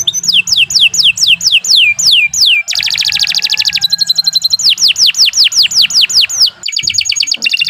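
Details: Canary singing vigorously in long, continuous form, used as a tutor recording for training other songbirds; bright high notes sweep downward in fast repeated series, broken by a dense buzzy trill and a rapid chattering roll.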